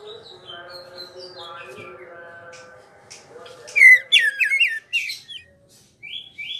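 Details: Greater green leafbird in a ngerol song: after a few seconds of faint whistles over droning tones, a loud burst of rapid chattering, twisting notes, then short high phrases.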